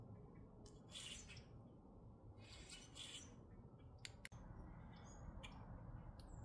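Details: Grackles in Minnesota: two drawn-out harsh, hissing squawks, then sharp clicks and a brief thud, with low background noise throughout.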